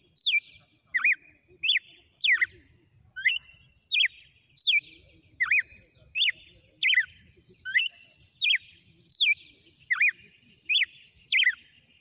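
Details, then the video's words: Wild red-cowled cardinal giving a long 'sequência de açoites': about seventeen loud, whip-like whistled phrases, each a sharp slurred downstroke, delivered steadily around every 0.7 seconds with near-silent gaps. "O CANTO SELVAGEM DO GALO DE CAMPINA - SEQUÊNCIA DE AÇOITES"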